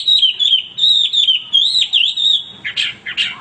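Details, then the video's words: Clear, sweet Hwamei whistles, long level and gently wavering notes with a quick dip, followed by a few harsher, buzzy notes at the end. "wambi gacor berkicau tanpa henti"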